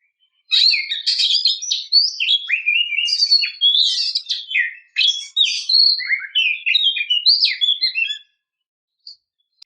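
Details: Calling female Oriental magpie-robin, used to provoke caged males: a long, continuous run of rapid, varied whistles, trills and harsh chatter lasting about eight seconds before falling silent.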